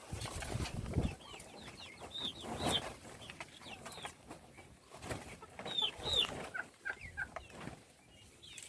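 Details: Little chicken chicks during feeding give many short, high chirps that slide downward. The peeps come in quick overlapping bursts. Clatter and rustling sounds are heard around the birds.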